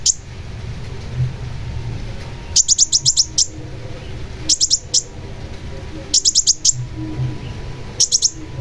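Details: Long-tailed shrike (cendet) song used as a lure to set birds singing: bursts of four to five very high, sharp chipping notes, a burst roughly every one and a half to two seconds, over a low steady hum.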